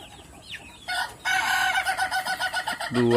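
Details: Ayam Ketawa laughing chicken kept by its owner in Meulaboh, Indonesia, delivering a ngokok crow of steady, rapid, cackling pulses like laughter, opening with a short harsh note and ending with a lower honking sound.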